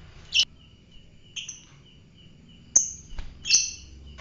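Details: Fighter lovebird giving scattered shrill chirps and a thin whistled note, about five calls at irregular spacing, over low rumbling background noise.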